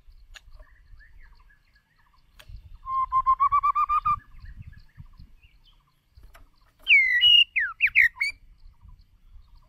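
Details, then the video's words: Decoy white-rumped shama singing for voice training: a fast series of short rising notes in a rattling run, then after a pause a loud phrase of sweeping whistles, over faint low background noise. "Chòe lửa Mồi hót cực đỉnh ✦ Luyện giọng chòe lửa"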